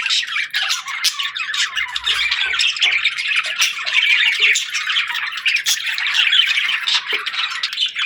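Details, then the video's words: Several happy pet budgerigars chattering while eating: a continuous dense warbling of chirps and squawky notes with no pause, busy and overlapping throughout. "Happy Budgie Sounds | Budgies Chirping & Eating Sounds"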